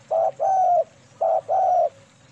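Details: Lure recording of a female spotted dove in KUK 2 manggung song: two paired phrases, each a short soft coo followed by a longer, smooth low coo, against quiet hum.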